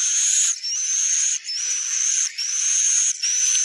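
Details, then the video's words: Swiftlet call played to draw swiftlets to roost and settle in a building; harsh buzzy high chirring bursts with a thin whistled tone inside, each about a second long, separated by brief gaps. "Suara panggil burung wallet menginap"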